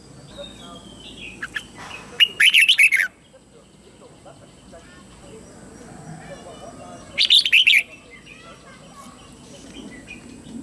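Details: Red-whiskered bulbul kept as a lure bird, singing to bring wild rivals in to fight; two separate loud bursts of fast, buzzy warbled notes, several seconds apart, with soft background murmur between.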